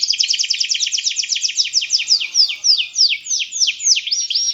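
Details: Energetic canary song: a rapid rattling series of slurred notes that gradually slows into spaced, ringing downward whistles.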